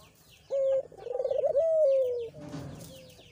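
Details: Lure call of a Barbary dove for prompting a quiet kept dove to sing. A short level tone leads into a fluttering pulsed roll and a drawn-out falling coo, with a faint softer echo afterward.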